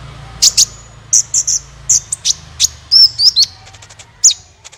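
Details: Sunbird song used to lure other birds into singing: separate high, thin, piercing notes spaced irregularly, a few quick whistled slurs near the middle, over a soft low background hum.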